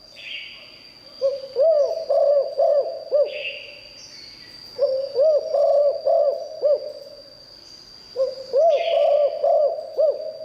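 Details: Spotted dove singing in the liw tan style, prized for its fine voice and used to lure wild doves: three low cooing phrases, each a run of rounded, bouncing coos, separated by pauses, over a steady high electronic tone.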